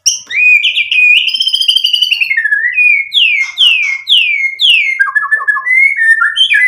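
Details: Lively white-rumped shama song used to stir rival birds into answering: a rolling trilled phrase, then a series of loud clear whistles sweeping downward, ending in short stuttering notes and a rising whistle.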